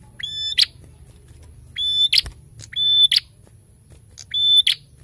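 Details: Four phrases of prinia narung song: each is a high steady whistle followed by a grating buzz, at irregular intervals of about one second. One brief click partway through. Faint hum in the background.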